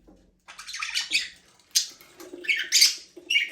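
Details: Free-flying budgerigars in a small aviary chatter in a steady run of scratchy, buzzy chirps and warbles, several birds calling over one another.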